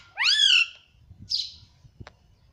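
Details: Talking pet ringneck parrot mimicking speech: one loud, rising and falling tonal syllable, then a short breathy hiss and a small click in a quiet room.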